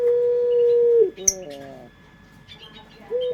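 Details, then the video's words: Indonesian local dove's long pelung coo, a lure recording: a sustained, smooth, low tone ending in a downward slur, then a short stuttered coo and the start of another long note. Small birds chirp faintly. "Suara Burung Puter pelung paling dicari bersuara merdu"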